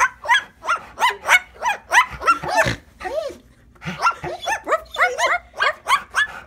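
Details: An umbrella cockatoo barks like a dog at a rottweiler, with hoarse, harmonic woofs, about three a second in two bursts broken by a brief pause.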